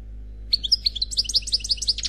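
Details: Unmated male European goldfinch in khalwi song: a lively, tumbling string of high chirps and tinkling twitters after a brief silence, rising in density toward a buzzy close.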